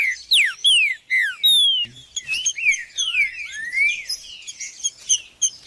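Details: Green-winged saltator (trinca-ferro) song used to stimulate and warm up a bird: loud, varied whistled phrases with sharp downslurred notes, rapid overlapping slurs in the second half, and a faint click near the middle.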